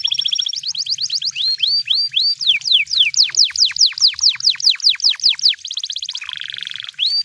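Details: In the wild, a canary sings a short held whistle, rapid rising notes, then a long even string of loud descending sweeps, a fast trill, a low buzzy roll, and one last upslur.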